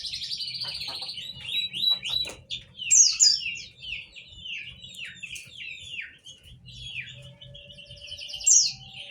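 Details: High-pitched white-eye song, a long run of quick chirping notes and downward slurs delivered almost without a break, with a soft low background hum. Used as a lure to get silent white-eyes singing.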